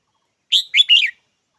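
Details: One crisp three-part call from a red-whiskered bulbul, a bright opening note and two quick, rolling, fluty notes, against a silent background.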